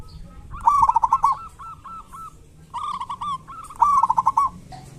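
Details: Zebra dove of local stock, singing kerot and bekur styles as a lure for silent doves: rapid purring coo phrases repeated three times, with softer connecting coos between them and a faint background rumble.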